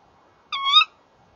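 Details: At a nest box on the evening of 30 January 2014, male and female Tawny owls call together; one short, strained, harmonic-rich screech, wavering then lifting toward its close, with near silence around it.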